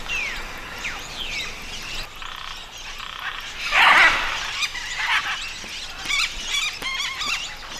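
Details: Macaws and other parrots gathered at a riverbank clay lick in Peru: one loud, harsh, raspy squawk in the middle, with scattered higher chirps, whistled notes and short stacked calls from other birds around it.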